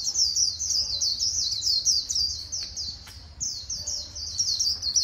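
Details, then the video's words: A white-eye's líu song, Vietnam: continuous high-pitched twittering, rapid chirps strung together with scarcely a gap through five seconds, steady and loud. "KHUYÊN LÍU HAY NHẤT 2019"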